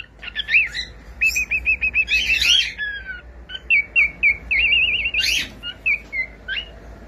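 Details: Pet cockatiel singing: a quick run of chirps and whistled warbling notes. Some are steady, some wavering or trilled, in bursts about every half second, with a few harsher buzzy notes between them. The room is quiet.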